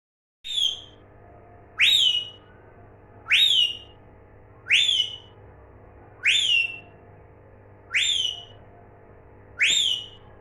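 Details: Parrot giving a clear whistled note that swoops up then falls, repeated seven times about every one and a half seconds, with a steady low hum in the background.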